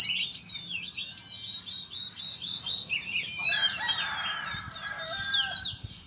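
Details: Oriental magpie-robin delivering cricket-mimicry song: rapid series of bright buzzy high notes repeated in even runs, then a lower rasping chatter mixed with sharp chirps toward the end.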